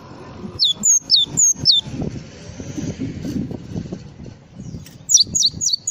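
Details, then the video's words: Java sparrow's full 'isian' song, with a run of high, downslurred chirps, then a pause filled with traffic and low noise, then another quick series of sharp high notes. "SUARA BURUNG GLATIK FULL ISIAN"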